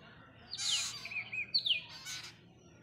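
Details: Parrot chick begging while being hand-fed on its first day: two hoarse, rasping bursts about a second apart, with thin falling whistles between them.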